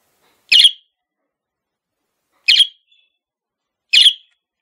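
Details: Male budgerigar kept as a pet calling three short, sharp chirps spaced about one and a half to two seconds apart, with silence between.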